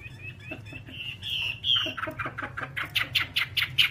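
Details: Whambie from a long master recording for training birds: buzzy notes that rise into bright whistles, then a quickening series of sharp chips over a background hum.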